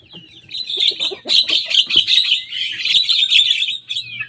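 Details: Javan myna, a young bird, pouring out mimicked rival songs: a rapid, unbroken stream of high, scratchy twittering and squeaky notes, loud and steady for several seconds.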